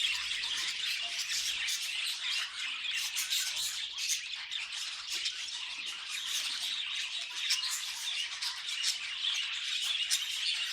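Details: Pet budgerigars making funny noises: dense, continuous high-pitched chattering and warbling with rapid squawks and clicks throughout, no pauses, in a small indoor setting.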